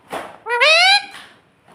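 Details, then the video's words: Pet parrot talking, imitating the words "mummy" and "papa"; a single loud, harmonic, rising-then-level utterance lasting about half a second, preceded by a softer breathy sound, indoors. "parrot talking papa"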